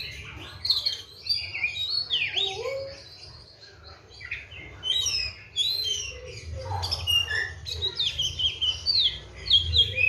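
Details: Oriental magpie-robin in a cage, kept on seven crickets and routine morning and afternoon baths, delivering a long varied song of sustained whistles, buzzy trills, swooping slurs and quick chirps, with low rumbling underneath.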